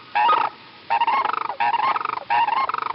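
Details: A pair of Sandhill Cranes gives a unison call, used to establish pair bonds: loud, rolling, rattling bugles in four bursts, the two birds overlapping in a harsh duet, with the rattling typical of the species.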